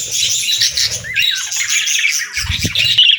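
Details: Budgerigar warble: rapid high chatter with a clear rising and falling whistled note, followed by more chirps and a few low knocks.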